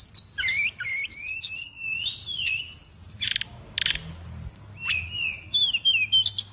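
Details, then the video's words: Cage songbird admired by Indonesian bird-keeping fans for its lavish voice delivers a busy stream of high twittering trills, sliding whistles and sharp chips, broken by a short pause midway. "burung ini mewah suara nya SRDC gacor"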